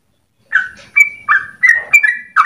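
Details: Yellow-vented Bulbul (trucukan) used as a lure for training birds, after a silent start: a handful of slurred chirps and a sharp higher whistle, with a faint low rumble beneath.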